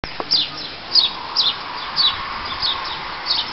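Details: A house sparrow in the town of Llanrwst, North Wales, on 7 November 2009, gives short, bright, slightly falling chirps, repeated roughly every half second over a faint background hum.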